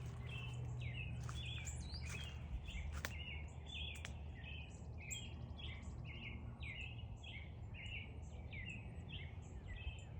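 Northern cardinal giving short, sharp chirps, roughly two a second, sustained throughout, over a steady low rumble of background noise.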